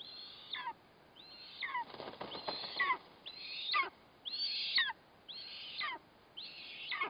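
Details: At an eastern imperial eagle nest during feeding of the chick on a kite, 4 August 2024, high thin squeals with a sudden falling tail recur roughly every second, with a brief rustling noise midway.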